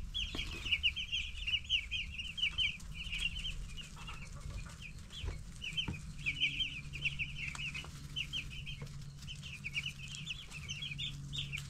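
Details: Flock of 10-day-old broiler chicks chirping: a dense, continuous chatter of high, short cheeps, many overlapping, running steadily throughout, with a low hum underneath.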